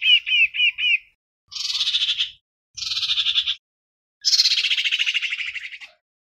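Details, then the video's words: Lure song of a common iora calling its flock: four quick looping whistled notes, then three buzzy rasping phrases, each longer than the last, with brief gaps between. "Tiếng chim huýt cô mồi - chim huýt cô hót, gọi bầy, kích mồi"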